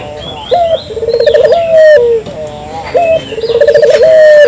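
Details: Clear local puter dove used as a lure: two full phrases, each a short rising note, a rapid pulsing trill and a sustained coo that slides down at the end, with faint high chirps around.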